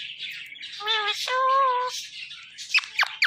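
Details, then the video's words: Talking pet parrot producing two strong word-like syllables, a brief one and then a sustained level one. Scattered high chirps and sharp clicks from other birds come before and after. "parrot talking || talking parrot"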